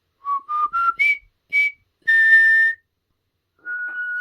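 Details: A pet talking common hill myna practising the River Kwai March gives clear, pure whistles climbing step by step, then a brief reedy, buzzier note and a long steady whistle.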